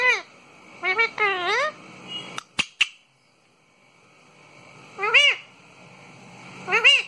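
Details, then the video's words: Pet parrot indoors giving rich, harmonic squealing calls that rise and fall, a few clustered together, then a sharp clatter of clicks, a quiet pause and two more drawn-out wavering squeals. "तोते की प्यारी सी आवाज"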